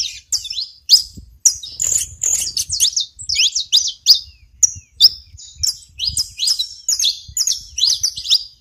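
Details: Singing saffron finch on a Brazilian smallholding: a long, busy stream of piercing, high-pitched chirps, trills and slurred notes in repeated bursts separated by short pauses. Faint low background noise.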